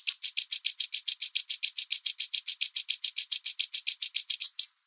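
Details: Bulbul recording used as a master to train songbirds: a steady, even series of sharp, buzzy high notes repeated about three to four times per second for nearly five seconds, ending abruptly.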